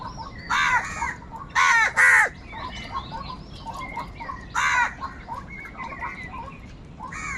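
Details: Angry crows calling loudly while fighting for food: loud, hoarse caws come in separate bursts, a double caw around the middle and further single caws later, over a background of many small birds chattering.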